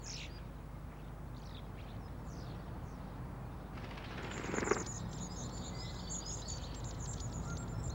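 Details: Long-tailed tits in an Oxford suburban back garden give thin, very high notes that build into a busy stream of twittering calls, over a low rumble of background noise and a brief spoken voice.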